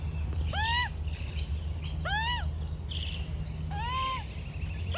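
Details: Female juvenile Australian magpie, four to five months old, begging for food from its mother; three well-spaced arched harmonic squawks, each under half a second, over low steady rumble.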